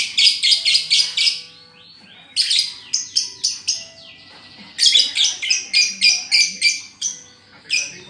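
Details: Lovebird whose song is said to have collapsed during its moult, repeating shrill, buzzy chirps in fast runs of four to eight notes, separated by short silent gaps.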